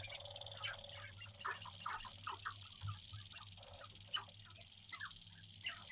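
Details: Pre-sunrise courtship display of male sharp-tailed grouse on a lek in central North Dakota, April 2021, from a blind: rapid chattering clucks and squawky notes tumbling over each other, one sharp crack near the end, steady high tone behind.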